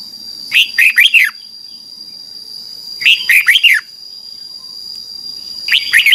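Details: Red-whiskered bulbul song for training young cage birds in Thailand: repeated phrases of four fast, rich, downward-swooping whistled notes roughly every two and a half seconds, with a persistent thin high tone underneath.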